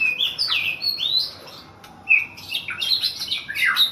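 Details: White-rumped shama, a young wild-caught bird from the forest, singing a varied phrase of whistled, sweeping notes mostly high-pitched, with a short pause midway before rapid, rising and falling trills resume.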